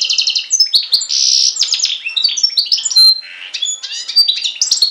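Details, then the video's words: Loud, continuous song of a European goldfinch x canary hybrid, Syros, Greece, July 2007: rapid rattling trills, buzzy notes and clear whistles run together in a fast varied warble without pause. "Carduelis Carduelis X Canary singing"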